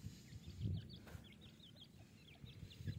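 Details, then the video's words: Small chicks of an Iranian partridge peeping steadily, short high whistled notes that curve downward, many in quick succession, with dull low bumps and rustling in the foreground. "ایرانی تیتر کی آواز اور چھوٹے بچے"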